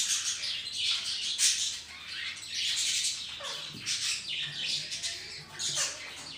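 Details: Budgerigars in a colony kept at home alongside ring-necked parakeets; dense, high chirping and warbling chatter from many birds overlapping, with brief louder bursts and soft wing flutters.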